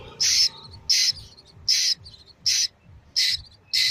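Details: Baby Asian koel calling with a run of six rasping, high screeches, evenly spaced about 0.7 seconds apart, each short and abrupt, with little else in the background.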